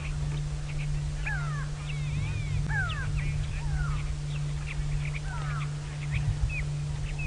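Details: Grey go-away-birds shout from far off in a drainage on a sunset game drive, 15 June 2017, South Africa: several nasal, downslurred notes overlapping irregularly, other birds chirping, a steady vehicle engine droning low underneath.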